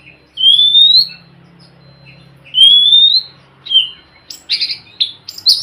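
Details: Oriental magpie-robin song to prompt a silent bird: two long, clear, rising whistles a couple of seconds apart, then a jumble of harsh chirps and short notes, with a faint low hum throughout.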